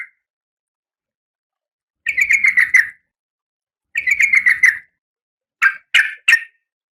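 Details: In breeding condition, a female oriental magpie-robin calls the male: two rattling trills of rapid buzzy notes about two seconds apart, followed by three separate harsh notes, in a quiet setting.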